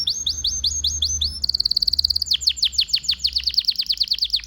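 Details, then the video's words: Male domestic Belgian canary song: a fast, steady trill of high notes, first falling then briefly rising, running into quick downslurred chips about twelve a second. "Canary Singing birds sounds at its best | Super Melodies Canary Bird song"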